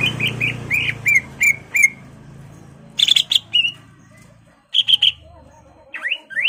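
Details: Greater green leafbird singing to provoke an opponent to fight: a quick series of repeated upslurred whistles, then sharp high chirps and scattered rising notes over a steady low hum.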